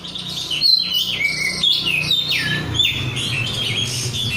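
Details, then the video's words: Untrained caged 'rudal korea' oriental magpie-robin (kacer) singing gacor: clear high whistles and swooping downward notes over a steady low hum. "kacer gacor"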